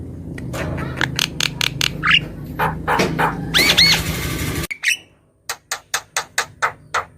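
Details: Javan myna singing as a lure to prompt silent birds: harsh squawks and rapid clicking chatter over a low rumble, one rising whistle, then after a cut six evenly spaced rasping bursts in clean silence.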